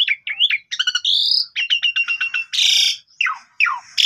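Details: Javan pied starling singing a morning lure meant to prompt silent birds to sing, filmed on a phone: a varied mix of slurred whistles, rapid stuttered chips, harsh rasping bursts and steep descending whistles.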